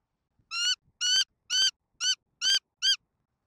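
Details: Bald eagles on a nest camera in Southwest Florida, Cam 2, 13 November 2024 at 05:47. Six shrill, piping notes rich in overtones, each slightly downslurred, come in quick succession about every half second against a quiet background.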